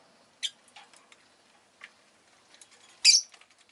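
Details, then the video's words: Rosy-faced lovebirds kept as pets, several of them calling that day; two sharp piercing chirps about two and a half seconds apart, with faint clicks and small twitters between. "Lovebird Chirping Sounds"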